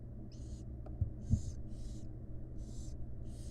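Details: Short, noisy hisses from wild barn owl chicks begging as their mother feeds them inside a nest box. Five rasping bursts come in quick succession over a droning background hum, with a faint click or two.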